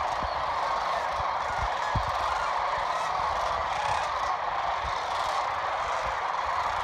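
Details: Sandhill cranes flying in at evening on the Platte River, Nebraska: a vast flock produces a steady, dense wall of overlapping rolling, trumpeting calls, with occasional low thumps of wind or handling.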